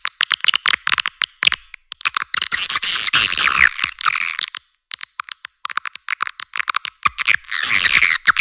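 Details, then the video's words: Natural swiftlet calls: rapid trains of clicking, buzzy chirps roughly three per second, with longer dense twittering bursts and a short pause midway, all high-pitched with no low sound. "Suara burung walet asli alam"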